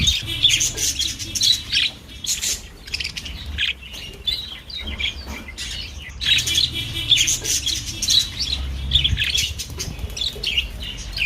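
A budgerigar chatters in quick, scratchy warbles mixed with sharp chirps and clicks.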